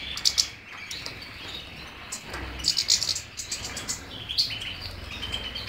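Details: European goldfinch with sparse high chirps and short buzzy clusters, the calls separated by gaps and set against a low steady hiss.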